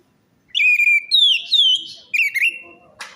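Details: A continuous three-second phrase of orange-headed thrush song, used as a lure to make a silent or stressed bird sing: rich whistled notes that rise and fall in smooth slurs, ending with a brief noisy click.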